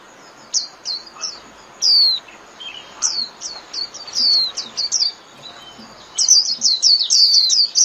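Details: Japanese white-eye singing 'líu' style, meant for daily playback to caged birds: high slurred notes and a strong falling whistle, building into a dense, fast twittering chatter at the end.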